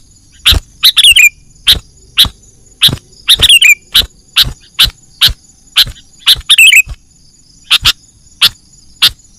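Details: Sooty-headed bulbul lure call, used for trapping birds in the wild: sharp, harsh chips repeated about every half second, broken up by short chattering bursts of descending twittered notes. No other sounds stand out.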